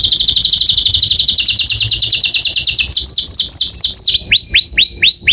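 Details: Morning song of a canary: a quick high trill that slows into looping, arched whistled notes repeated steadily near the end.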